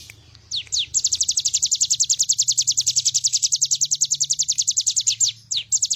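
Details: Bar-winged prinia singing energetically for a bird-training master recording: a few separate falling notes, then a long rapid chain of bright, high, downslurred chips lasting about four seconds, with a soft low hum underneath.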